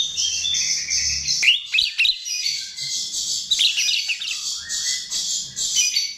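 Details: Lure song of a chestnut-tailed starling: lively high chattering with grating notes, quick up-slurred whistles and a lower descending whistled phrase repeated in the second half.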